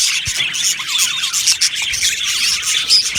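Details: Colony of Australian budgies in an aviary chattering as a group: a steady, scratchy wash of high chirps and wavering warbled notes, with a faint rubbing sound underneath.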